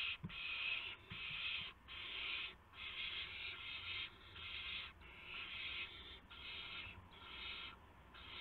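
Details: Young owls around midnight on March 19, 2016, while adults bring a gopher and mice; near-continuous series of loud rasping hisses with short breaks, plus a few faint knocks.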